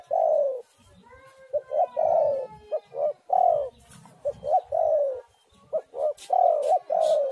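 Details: Spotted dove singing steadily as a lure recording: repeated phrases of two or three quick coos, each ending in a longer, sliding coo, running almost continuously with short gaps.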